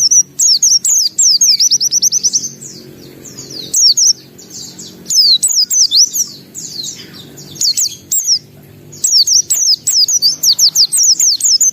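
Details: White-eye singing energetically in full voice: dense, high twittering phrases of slurred and trilled notes in long bursts with brief pauses, over a faint low hum.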